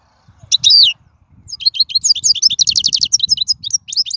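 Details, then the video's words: European goldfinch singing in the wild, opening with a slurred, sharply descending twitter, then a dense, fast stream of bright tinkling and rattling notes with a faint low rumble underneath. "من أقوى اغاني | طائر الحسون | البرية"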